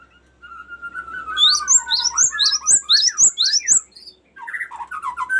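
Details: Cinereous tit in long rolling 'ngerol' song, used as lure and master training song: a level whistle slides lower, then fast high sharp notes in a rapid string, with lower chirps trailing at the end.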